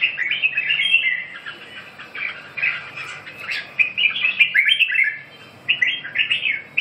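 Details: Red-whiskered bulbul delivering a long string of lively, chattering whistled phrases, rapid up-and-down slurred notes in clusters, a pause past five seconds, then another quick warbling burst.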